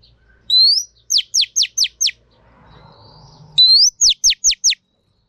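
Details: Female Oriental magpie-robin calling to stimulate males: a rising whistle then five quick, sharp downward-sweeping notes, the phrase given twice, clear and loud over near silence.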